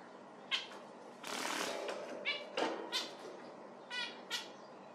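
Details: Zebra finch giving short nasal, harmonic-rich calls, five or six spaced notes, with a burst of broad rushing noise like wingbeats early on.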